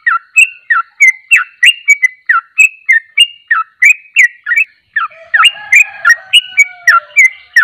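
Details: Sooty-headed bulbul (trucuk) singing in the fast ropelan style: a rapid string of short, slurred whistled notes, about three per second, with a brief pause near five seconds before the run resumes.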